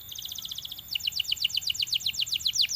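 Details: Belgian canary singing to prompt companion canaries to sing, with a quick even trill of paired high notes shifting into a slightly slower run of louder falling notes.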